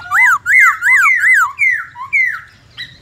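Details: Black-throated laughingthrush singing its many-voiced 'forest voice' song: a run of five loud, clear whistled notes that rise then fall, repeated about twice a second, then softer slurred whistles and a brief higher note at the end.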